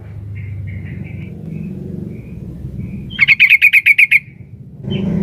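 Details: Female sooty-headed bulbul calling to the male, a rapid run of about eight bright, bubbling notes in under a second, preceded by faint softer chirps and low hum, ending with a short rustling noise.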